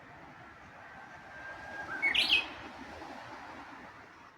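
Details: Japanese bush warbler singing in Kashiwanoha Park, Japan, May 2025: a short held whistle leading into a quick, bright rising phrase, set against a steady hiss of background noise.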